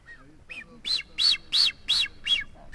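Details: Blue-footed booby courtship whistling among several nesting pairs on North Seymour Island, Galápagos, Ecuador: six high, thin whistles, each arching down, about three a second, over faint background murmur.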